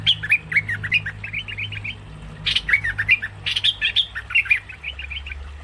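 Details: Lure call of the cream-vented bulbul for trapping: lively bursts of chattering, bubbly chirps rising and falling, broken by brief pauses, with a steady low hum underneath.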